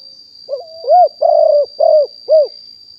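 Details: Wild-stock spotted dove recorded live in 2021 as a decoy for attracting wild doves: a lone phrase of a small wavering opening note and four mellow coos, the second and third longer and grainy, the final one brief. A steady faint high tone continues.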